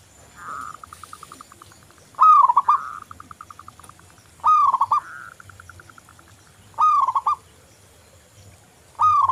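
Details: Local zebra dove in full song, played as a lure to coax other doves into singing: bubbling arched coos roughly every two to three seconds, each followed by a steady train of soft, rapid clicking notes.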